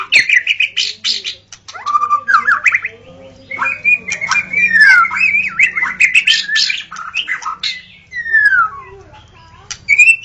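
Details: Forest white-rumped shama in full song, long rich warbling phrases with sustained whistled notes, rolling trills and sharp high accents.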